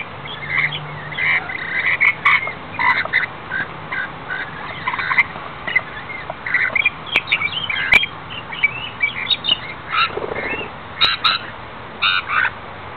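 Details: Wild rainbow lorikeets in rain on Australia's Gold Coast, sheltering under an umbrella: a flock chatters with shrill, squeaky screeches in quick bursts, layered over continuous rain noise and occasional sharp taps.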